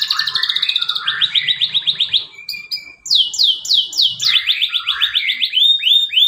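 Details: Canary song used as a lure to prompt a silent bird to sing: rapid runs of repeated descending chirps, a brief steady whistle near the middle, then fast sweeping trills resuming.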